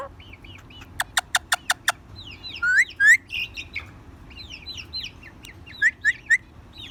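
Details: Ringneck parakeet known as a talking bird: a rapid series of five clicks, then rising whistled notes and squeaky chirps in irregular bursts, ending with three short bright whistles over a low hum.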